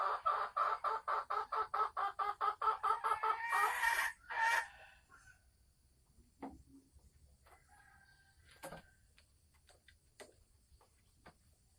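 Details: Female Sumatran red junglefowl held in a cage, cackling before laying eggs: a rapid train of loud, even, harsh notes, then two drawn-out squawks, followed by quieter scattered clucks and faint background noise.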